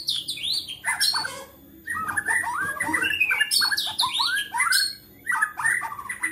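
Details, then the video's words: White-rumped shama in agitated song said to make other shamas sing: busy, overlapping jumble of chattering, whistled and swept notes filling most of the recording, possibly more than one bird. "MURAI GACOR NGAMUK BISA MEMANCING MURAI LAINNYA JADI GACOR"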